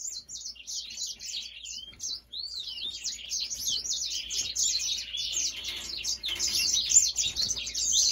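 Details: Grey singer, called the African singer, delivering a long run of high, quick twittering phrases with short whistled slides and trills, repeated rapidly and growing denser and louder toward the end.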